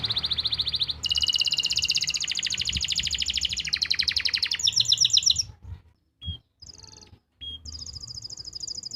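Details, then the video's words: Canary song recorded in Pati, Central Java, meant to get stalled canaries singing: fast rolling trills shifting pitch several times, then short gaps broken by brief high whistles and another trill. "masteran untuk memancing burung kenari yang macet bunyi.."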